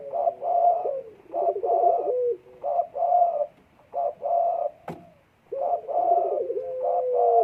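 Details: Spotted dove in breeding condition on 12 December 2022, cooing in clustered phrases of trembling, quavering notes and longer smooth tones, with a brief silent gap and a single sharp knock.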